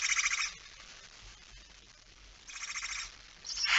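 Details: Barn owl at 23:55 on 17 September 2019, male bringing a mouse: soft, distant-sounding hissing screeches at the start and after about two seconds, then a louder rasp rising at the end.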